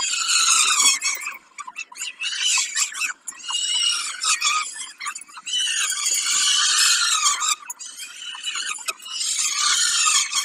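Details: During a snack at Kawęczyn, dated 20 05 22, peregrine falcons keep up a long run of rough, screeching wails in drawn-out bursts that pause briefly now and then.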